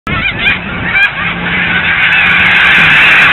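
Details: Dense chorus of snow geese feeding and resting in ponds at Blackwater National Wildlife Refuge in winter: overlapping high, nasal honks merge into a continuous roaring clamor, with a few sharper yelps standing out near the start.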